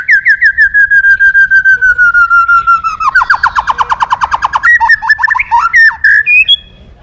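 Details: White-rumped shama singing, used to encourage other birds: a long slowly descending string of rapid whistled notes, then a faster buzzy trill and a few varied upslurred whistles before fading.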